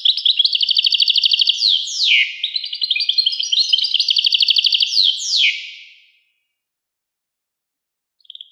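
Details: European goldfinch singing a long bright phrase of rapid, tinkling trills and twittering notes with descending slurs, running about five seconds before a pause and a short final burst.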